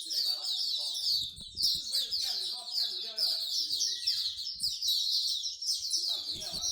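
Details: Bird-lovers' bird singing corner in Singapore: a dense chorus of high, sweet chirps and rapid twittering trills from many songbirds at once, with faint human voices and a low background murmur underneath.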